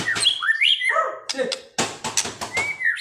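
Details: White-rumped shama in agitated, vigorous song: a quick run of clear whistled notes sliding up and down, some rising sharply, with a few harsh broadband bursts and clicks between phrases.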